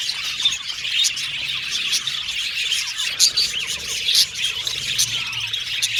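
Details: Colourful Australian budgerigars kept as pets warble and chirp together, busy high twittering with several louder sharp chirps and short whistles breaking through.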